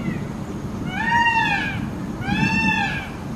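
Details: Peacock giving two loud, arched wailing calls about a second and a half apart, each a rising-then-falling nasal cry rich in harmonics, over a low background rumble.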